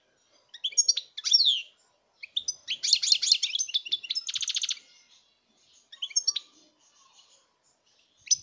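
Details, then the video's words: European goldfinch song recorded in 2019: bright, rapid tinkling twitters in bursts, a dense run of high notes, then a buzzy nasal trill, with short pauses between further twittering phrases; quiet background. "chant chardonneret"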